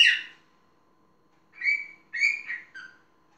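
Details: Indoor pet parrot giving a harsh opening squawk, then after a pause three clear, slurred whistled syllables, the last one dropping lower.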